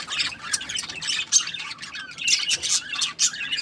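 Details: Budgerigars chattering in a steady stream of harsh, scratchy chirps and squawks, high and bright, rising and falling in bursts with brief pauses in between.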